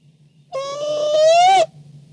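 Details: Barn owl back at the nest at night, 4:38 am on 2-10-16: one loud, rich, nasal call lasting just over a second, steady then gently rising at the end, with quiet low hum behind.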